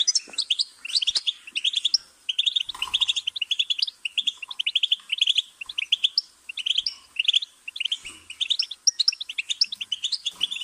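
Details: Sustained goldfinch song: busy, high twittering phrases tumbling one after another, with occasional soft clicks.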